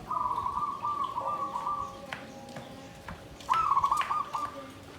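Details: Caged zebra dove singing the Klabang Kapipit and Tumpang Sari style, klarr kete kuk kuk, in a bamboo cage. A long bubbling low coo runs for two seconds, and a second trilled phrase follows after a gap with faint clicks.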